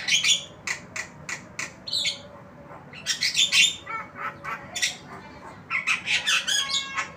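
Javan myna giving a harsh, scratchy chatter of squawks and grating notes, about two or three bursts a second, with no other clear sounds.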